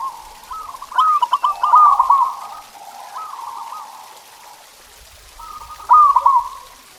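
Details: Cooing song of a local zebra dove meant to make caged birds sing: overlapping runs of quick, wavering coo notes, one phrase fading into the next, a loud stuttered phrase returning near the end.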